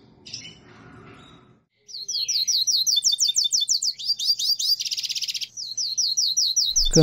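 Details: Saffron Finch song from Brazil: after a brief voice-like sound and a pause, a fast run of sharp, high chirped notes repeated rapidly, with a dense buzzy trill in the middle, continuing to the end.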